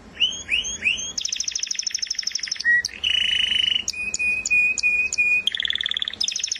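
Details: Canary singing varied tours: rising swept notes, a long dense high trill, a low steady whistle, short sharp clicks over a flat tone, and further rapid trills.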